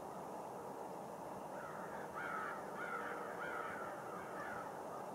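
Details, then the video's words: Blackbirds on a lake island at Rush Lake: a short series of rough, rising chattering calls repeated about every half second, over a steady wash of background noise from many distant birds. "Rush Lake island blackbirds"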